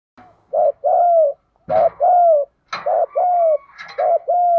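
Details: Spotted dove song in the 'đồng pha thúc gù' voice style, used with kept doves: four low coo phrases in steady succession, each a brief note then a drawn-out coo, with scattered higher rustling noises between.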